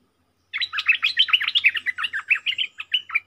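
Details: Decoy bulbul among four birds, recorded 31 July 2021: a dense, rapid chatter of bubbling, warbled chirps running about three seconds without a break, loud and near, background silent.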